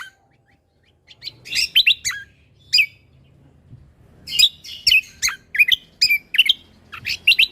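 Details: After a second of silence, a spirited lesser green leafbird bursts into 'tembakan' song used as a tutor: clusters of quick, high chips and sharp slurred whistles, growing denser toward the end.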